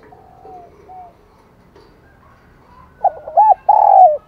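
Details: Faint distant cooing opens the morning before a decoy dove, calling wild doves, breaks in loudly. It gives quick hooked notes and then a long, strong, slightly falling coo.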